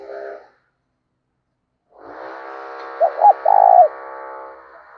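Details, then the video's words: Decoy spotted dove of the 'thổ đồng' voice style, used to make other doves coo: a short buzzy drone, a pause, then a single coo phrase of two quick notes and a long note, over continuous harmonic droning. "Chim Cu Mồi, cu gay kich boi nhanh noi gù"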